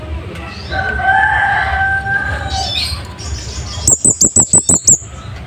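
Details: Scarlet-headed flowerpecker with a sharp, wild-sounding song meant for tutoring caged birds; a drawn-out tonal whistle from another bird comes first, then seven crisp, very high ticks in an even rapid series.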